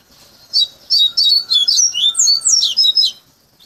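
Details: Caged Bahian coleiro, tutored from a nestling over three to five months, singing its learned fluted song: a clear, high, quick run of whistled slurred notes rising and falling, with a faint steady low tone behind.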